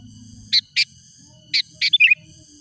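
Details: Sooty-headed bulbul, a lure recording used to call wild rival birds: four short, bright chirping notes in two spaced pairs, then a quick burst of three twittering notes, over a faint low hum.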